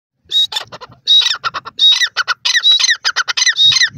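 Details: Grey francolin (dakhni teetar) calling: loud harsh repeated phrases, each a buzzy squawk with a clear whistled note followed by quick rattling notes, about once every second and a half.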